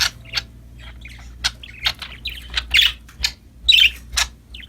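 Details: Several happy budgerigars (parakeets) playing and singing: a busy run of sharp, bright chirps and short harsh squawks, roughly one a second with uneven spacing, over a faint steady low hum.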